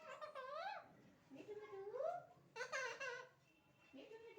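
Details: A pet talking parrot chatters in a voice-like way, as if talking with its owner's mother, with rising, swooping syllables and short giggly bursts in three or four phrases in a quiet room.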